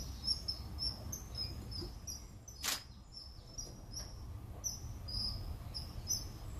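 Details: Common kingfisher recorded at Warandeputten, 2018, giving many piercing, high-pitched short whistles in quick irregular series, with one sharp broadband click midway and a constant low rumble underneath.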